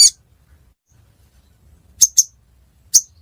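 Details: Ruby-cheeked sunbird near a house in Pidie, Aceh, Indonesia: a few very high, sharp chirps, one at the start, then a quick pair and a final note after a pause, over a faint low rumble.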